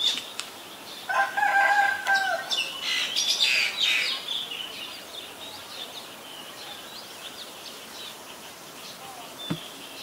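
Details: Common myna recorded on February 24, 2022 in Ubon Ratchathani, Thailand: a short loud medley of harsh, grating notes mixed with steady whistles in the first four seconds, then quiet background with faint distant chirps.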